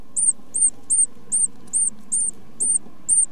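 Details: Great tit, likely a nestling being fed by its parents, gives thin, very high, arched calls repeated about twice a second over a steady low hum.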